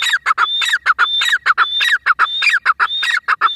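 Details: Grey francolin calling: loud, harsh, ringing notes in a fast, rhythmic, repeated pattern with clipped upward-sliding syllables, continuous throughout with no other sounds.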